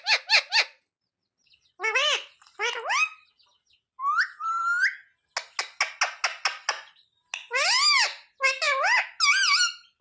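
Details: Pet parrot mimicking "mummy papa" delivers quick triple clicks, then curved nasal syllables, a burst of about eight rapid clipped notes, and several rising-falling speech-like phrases with brief pauses.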